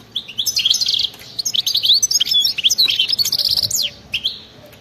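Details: European goldfinch singing in a wild style with fast 'batbata' twittering: rapid bursts of high, tinkling, buzzy notes and sliding whistles, almost continuous through the phrase, fading out near the end.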